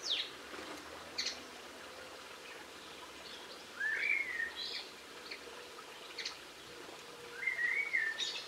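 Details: Linnet song recorded on 22 March 2016: scattered sharp high chirps and two slurred, warbling twitter phrases sliding around the middle-high range, separated by quiet gaps over steady faint outdoor background noise.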